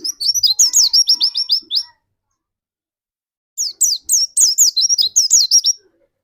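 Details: White-eye singing as a lure bird to trigger another white-eye's rapid song: two bursts of fast, high, thin whistled notes, each sharply down-slurred, about a dozen in quick succession, with a silent gap between bursts.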